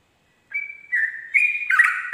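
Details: A Sooty-headed bulbul at dawn, ropel style for tutoring: after brief silence, a sustained whistle, a lower note, then a rising, busier cluster of whistled notes.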